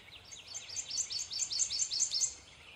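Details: Male prothonotary warbler singing a rapid series of about nine bright, sharp, high upslurred notes, evenly repeated and slightly rising in loudness, over faint background hiss.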